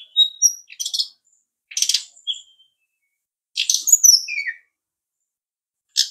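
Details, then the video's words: Brown-chested jungle flycatcher song, a Balinese bird: high thin whistled notes mixed with short buzzy bursts, phrases separated by brief pauses, clean background. "SRDC sikatan rimba dada coklat"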